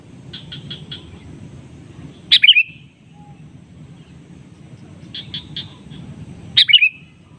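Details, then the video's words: Sooty-headed bulbul lure call to a rival that answers: a quick run of four chips, a loud sharp downslurred call, then the chip run and loud call repeat about four seconds later. "Kicauan KUTILANG SUARA ASLI bernada panggilan pancingan memanggil lawan bersautan"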